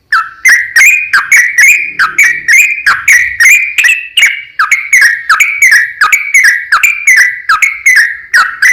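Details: Yellow-vented bulbul in a long 'ropel panjang' chattering song, used to lure other bulbuls into singing: a loud unbroken stream of bubbly, slurred whistles with sharp clicky attacks, about three notes a second.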